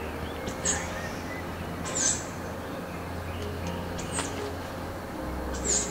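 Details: At least two juvenile tawny owls perched on tree branches in the evening give short, hoarse, high-pitched hissing screeches about every two seconds, over a low steady hum and faint music.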